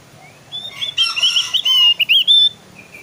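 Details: Javan grey-throated white-eye used as a lure to prompt other birds to sing: a dense, loud burst of warbled, twittering whistles, wavering and overlapping for about a second and a half, with a few softer trailing notes.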